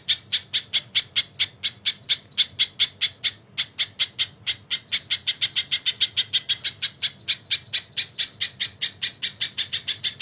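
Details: Tutor recording of a crested jay with kingfisher call fills: a long, rattling chatter of sharp, grating notes that quickens in the second half, with a short pause near the start.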